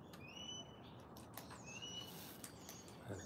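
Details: Australian king parrots, heard in the background on a foggy 2 °C early-winter morning while cockatoos feed on seed, give two long, clear, high, rising whistled piping notes about a second apart, over a steady low rumble and faint clicks.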